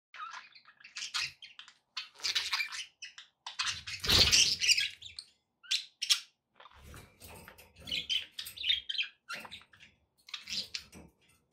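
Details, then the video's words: Pet budgerigars chirping indoors: a busy run of short, bright, scratchy chirps and warbles, broken by brief pauses, with one louder harsh burst near the middle. "budgie sounds for pet parakeets to make tham happy"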